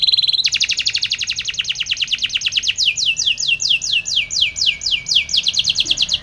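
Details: A Spanish Timbrado canary sings for training: a short steady note, a fast metallic trill, then evenly spaced descending whistled sweeps repeated about three times a second.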